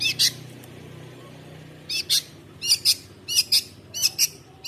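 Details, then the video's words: Long-tailed shrike giving paired harsh high chirps, doubled notes repeated roughly every half second after a short opening pair, with a low hum beneath. "CENDET GACOR SUARA BERVARIASI. BIRD SINGING. LONG TAILED SHRIKE BIRD."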